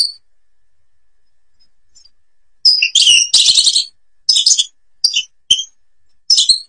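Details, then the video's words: Babors forest goldfinch in Algeria: after quiet, a harsh buzzy twittering burst and several short high chirped phrases follow at intervals. "canto jilguero argelia"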